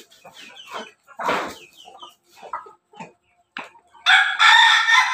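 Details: Rooster from an ayam ketawa, pelung and bangkok cross in Yogyakarta, Indonesia: scattered short clucks and chirps from the flock, then a loud, full-throated harmonic crow bursts in over the last second.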